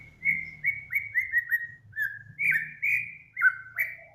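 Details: Master training recording of a cage bird (Samyong, Kancilan Flores or Garugiwa named): a series of about ten clear, down-slurred whistles at steady pitch, roughly two or three each second, with a soft low hum beneath.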